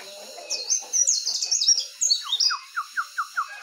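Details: Morning birdsong from jongkangan, trucukan and pleci (white-eye): bright high twittering phrases followed by a clear series of about six short, downward-slurred whistles spaced evenly near the end.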